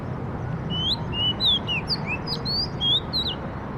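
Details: A quick string of clear whistled notes from a bird, each note sliding up or down, delivered steadily over about three seconds with faint low background noise.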